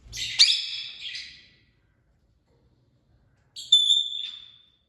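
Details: Parrots calling: two bright whistled calls with a harsh edge, the second a long, level, pure whistle, separated by about two seconds of silence.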